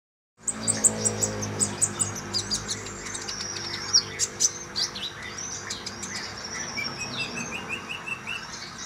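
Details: Common iora song, played to coax a caged bird into singing more often; high thin chirps and a sustained high whistle, followed by lower rising whistled notes repeated near the end, over a steady low hum.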